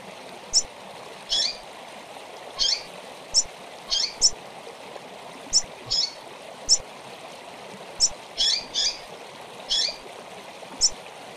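A female seedeater gives short, high chips and peeps at irregular intervals, roughly once a second, over a steady rush of running water.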